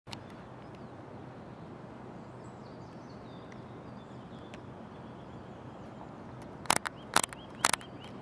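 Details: A great spotted woodpecker (Dendrocopos major) near the Ljubljanica springs at Retovje, Slovenia, 23 February 2023, gives three or four sharp, abrupt 'kik' notes near the end, over steady rushing water and faint thin calls from small birds.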